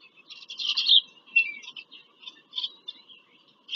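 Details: At a nest in Pennsylvania farm country on 5 February 2023, bald eagles on a visit give a burst of fast, high chittering notes, followed by scattered thin squeaks and a brief downslurred whistle.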